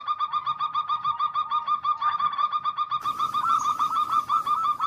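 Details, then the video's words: Zebra dove song used as a lure to make reluctant doves sing: dense overlapping series of short hooked cooing notes, rapidly repeated and layered from several birds, with a louder, busier passage after the third second. "suara pemancing Perkutut yang Males Bunyi"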